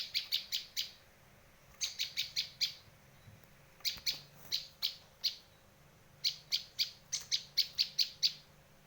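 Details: Bar-winged prinia call for luring and song tutoring: four bursts of five to nine bright, staccato high chirps, evenly spaced and fast, with brief quiet gaps between the runs.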